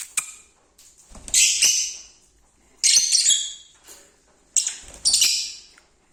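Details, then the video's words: Lovebirds indoors give harsh, shrill, screechy bursts, each about a second long and repeated roughly every two seconds, with faint thumps between them. "Love Birds Singing"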